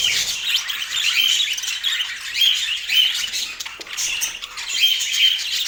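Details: Constant budgie twittering in Portland, raspy warbles mixed with brief bright whistles repeated every second or so across the flock.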